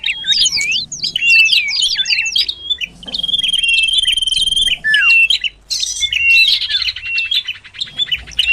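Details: Lure sound of a Common iora to attract birds closer: fast looping twitters, then a long level pulsing trill, ending in a harsh, rapidly pulsed buzzy chatter over eight seconds.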